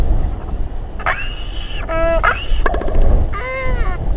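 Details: Royal albatrosses in a group fight at dusk, New Zealand, 27 January 2021: a drawn-out flat nasal whine, then two bursts of stacked, slightly arched harmonic cries, with wind rumbling underneath.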